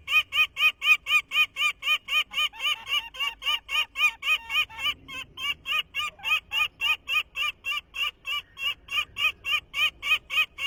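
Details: 2023 nest of Peregrine Falcons, where the nestling imitates its father's call for the first time: a sustained, very regular string of harsh, nasal notes, roughly four per second, over ten seconds.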